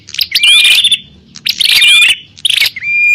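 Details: Bar-winged prinias in a noisy fight, used as a lure for wild birds: three long, loud bursts of rapid shrill chirping and whistling, closing on a sustained clear whistle.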